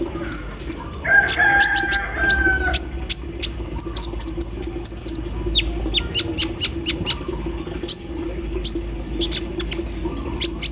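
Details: Olive-backed sunbird singing in the morning dew, with an embroidery-machine filler: an unbroken stream of sharp high ticks, briefly joined early on by a lower warbled phrase. A steady low hum runs throughout.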